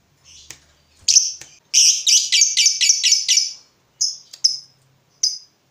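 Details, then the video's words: Agitated fighter lovebird reacting to a rival: a few sharp chirps, then a loud burst of rapid harsh high notes lasting about two seconds, followed by scattered single shrill calls. "Terpancing Emosi Begitu Lihat Lawan, Lovebird Fighter ini Langsung Narung"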